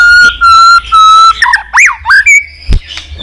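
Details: White-rumped shama singing in the twittering líu style to goad a young bird into fighting song: three long, steady, loud whistles, then quick rising and falling slurred notes and a sharp click.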